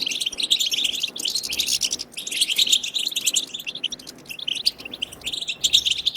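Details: Batbata song of the European goldfinch for stimulating goldfinches to sing: bursts of fast, sparkling twitters and buzzes, cut by short silences near the second and fourth seconds.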